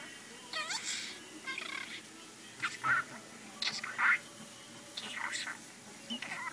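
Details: A young male pet parakeet named Kesha chatters in quick, scratchy, speech-like phrases, saying his name and "privet" (Russian for hello) in several short bursts, with warbles and squeaky notes between the words.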